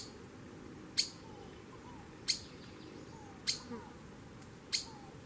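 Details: A Streaked Flycatcher gives four abrupt, piercing squeaky calls at intervals of just over a second. Faint low rising whistles and a constant background hum are also audible.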